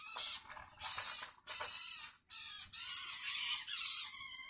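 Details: Long-tailed shrike chick begging from its parent with loud, hissing, noisy calls in long bursts of about one second, broken by brief gaps.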